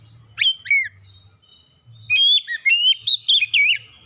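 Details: Oriental magpie-robin, a lure recording meant to prompt birds to sing: two short whistled phrases, then a longer fast sequence of piercing notes with rapid upward and downward sweeps, over a faint low hum.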